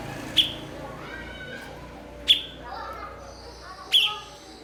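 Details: Blue-winged leafbird used as a master bird to tutor other songbirds, giving three sharp, downward-sliding chirps roughly every 1.7 seconds, with soft fainter twittering between them.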